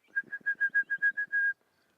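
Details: An Orange-breasted Bushshrike calling at sunrise on August 28, 2016 in Sabi Sand, South Africa, gives a quick run of about nine clear, even whistles on one pitch, the last one drawn out, over a quiet background.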